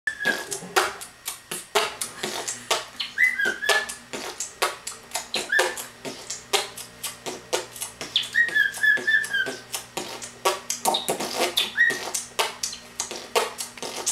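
A cockatiel whistles clear, wavering phrases over a person's steady, rapid beat-boxing.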